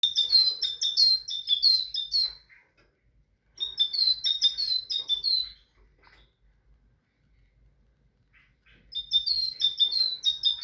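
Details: Tit singing: bursts of high, bright two-note phrases repeated rapidly for about two seconds, separated by pauses of silence, with the pattern recurring three times.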